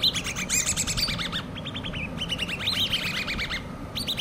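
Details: Common babbler chicks, hand-reared, chirping in fast runs of high, squeaky notes with short breaks, several birds calling at once over a constant low hum.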